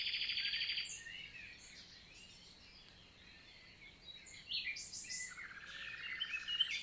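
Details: Morning song of a common nightingale, countryside forest, Lot, France, summer 2023: an opening rapid trill, a quiet gap with faint birds, then loud rich phrases with repeated notes.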